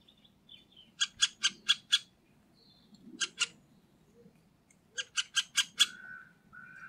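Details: Middle spotted woodpecker recorded at Liepāja, Latvia, November 2023, giving three bursts of rapid, grating, nasal notes (five, two, then five), separated by pauses, followed by a lower drawn-out squeak, over a soft low rumble.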